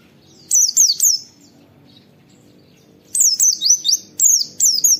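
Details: Oriental white-eye giving 'wit wit' notes on a training and lure recording meant to prompt other white-eyes to sing: high, sharply downslurred whistled notes, a short burst of three, a pause, then a run of about eight.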